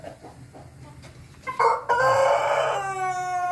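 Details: Ayam Ketawa chicken crowing, recorded 20 May 2024: after faint background noise, a loud harmonic crow begins at mid-clip with a brief break, then holds a rich, steady tone to the end.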